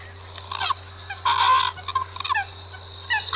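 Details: Scattered Eurasian coot notes include a few short, bent nasal calls and one longer harsh burst in the middle, separated by quiet gaps and set over a steady hum.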